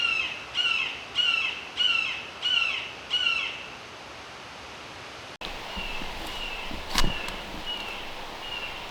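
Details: A Red-shouldered Hawk in a Connecticut preserve's hemlock and mountain laurel woods gives six loud, slurred, downward kee-ah screams in quick succession, flying to perch about 30 yards away, then quiet forest with a brief rustle or bump.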